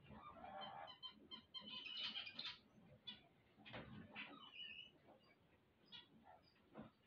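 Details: Zebra finches on waking give rapid, nasal, toy-trumpet calls and buzzy chatter in quick bursts, several notes a second, with a harsher rasp midway; song.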